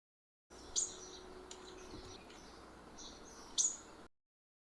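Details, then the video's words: A purple-rumped sunbird in a home garden gives two sharp, very high chirps about three seconds apart, with a few faint thin notes and a low steady hum between them. "sunbird sound"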